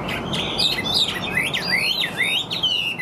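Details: Caged Chinese hwamei singing steadily. A brisk string of clear, swooping whistles, each falling then rising, repeats almost three times a second without pause.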